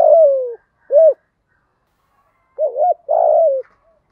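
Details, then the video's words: Spotted dove used as a decoy bird to stimulate other doves, with a deep 'thổ' style voice: a long falling coo, a short coo, then a wavering two-part coo and a long falling note, quiet in between. "Chim Cu Mồi Kích Bổi, cu gay giong tho cuc dinh"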